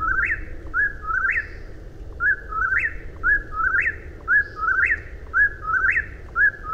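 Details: Eastern whip-poor-will giving rhythmic whistled phrases, each a quick note followed by a rising, emphatic sweep, repeated about once a second amid faint low noise.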